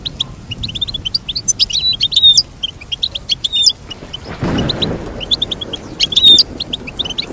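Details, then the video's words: High, tinkling goldfinch song for teaching a goldfinch to sing: fast twittered chirps and short whistled slurs in two bursts, separated by a brief broad rushing noise midway, over quiet background. "Teach your goldfinch to sing beautiful motivational songs"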